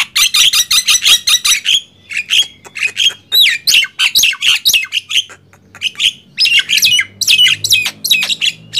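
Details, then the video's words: Loud singing duel between a Nias hill myna and a black-winged myna, with dense rapid runs of harsh buzzy squawks and chattering notes, punctuated by short rising and falling whistles and a brief pause midway. "Adu keras gemboran jalak nias vs jalak kebo"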